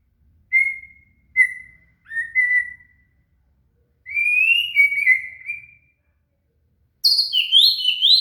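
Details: Murai (shama) song as cililin tutor material: three short even whistles, a longer wavering whistled phrase, then a sudden very high, rapid jumbled twitter at the end.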